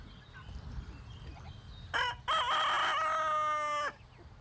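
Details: A farm rooster crows in the morning as the farmyard wakes, calling to show he is strongest on his territory and rules his hens: a short opening note, then a long, strained, harmonic-rich cry lasting about 1.5 seconds, over faint hum.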